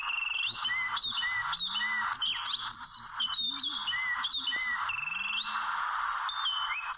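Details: Wild Oriental magpie-robin during trapping with small ropes: clear whistled notes sliding between mid and high pitch, some repeated short phrases, over a steady loud hiss of background insects.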